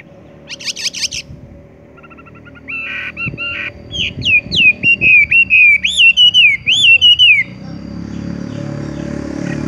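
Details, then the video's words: Horsfield's bush lark singing tung roll style over background hum and clatter: brief buzzy bursts, then a smooth run of swooping whistles for about four seconds. "wambie tung roll gantung langsung ngerol"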